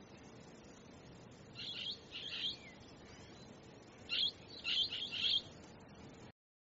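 Blue-headed parrot giving harsh, high screeching notes in two quick bursts, first three then four, over a faint steady hiss.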